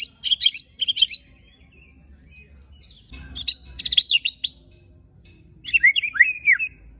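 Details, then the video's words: White-rumped shama (murai batu) giving a rough-fill song of tembakan and besetan phrases meant to provoke other shamas: three bursts of sharp, loud, chattering high notes, the last ending in clear slurred whistles, quiet pauses between. "Tembakan Dan Besetan Murai Batu Isian Kasar Ampuh Memancing Emosi Murai Batu"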